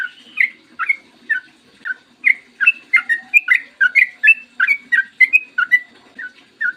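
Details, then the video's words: Yellow-vented bulbul (trucukan) in morning 'ropel panjang' song, used to coax others into singing. Lively chattering whistles tumble up and down in quick succession, with short pauses between bursts and a soft background hum. "PANCINGAN TRUCUKAN AGAR BUNYI burung TRUCUKAN GACOR ROPEL PANJANG"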